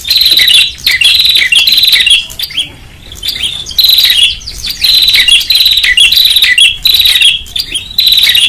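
Loud, high chirping bursts from a prinia, each lasting about a second with brief pauses. The sharp tweets are repeated rapidly, with no other sounds.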